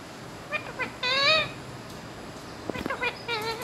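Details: Ringneck parrot imitating speech, saying "mian mitthu" in Urdu and Hindi. Loud, bright, harmonic syllables come in clusters, with one longer, wavering, rising-falling note, then brief clicky sounds and further quick syllables.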